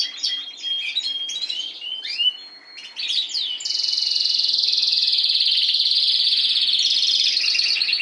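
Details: Last season's caged Spanish timbrado canary opens with scattered sweeping chirps and a thin whistle, pauses briefly, then launches into a long, even, rapidly pulsed high trill.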